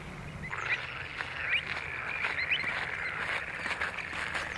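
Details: Pied avocet at Skanör and Falsterbo, Sweden, filmed in June 2015. Clear, clipped, piping notes come about once a second against a steady hiss of background noise.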